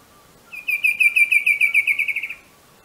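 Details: Bicolored antvireo, recorded in Colombia, sounds a two-second string of crisp repeated notes at steady pitch that slowly lowers and weakens at the end; a faint low tone lingers underneath.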